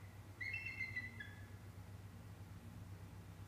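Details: Bald eagle at the Decorah North Nest, December 8, 2017 around 2:21 pm, during a chase with a sub-adult: one short burst of high, thin chittering piping notes with a steady low hum beneath.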